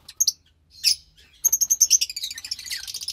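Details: Lovebird chicks from a white pastel violet and pastel mauve pair, recorded March 3, 2021. A few thin chirps and a rough squawk lead into a fast, sharp, ticking trill that blurs into a buzzy twitter.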